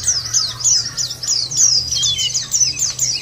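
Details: Lure recording of white-eye song meant to get birds singing: fast, continuous, very high chittering with quick downslurred chirps, about one burst per second, steady and bright.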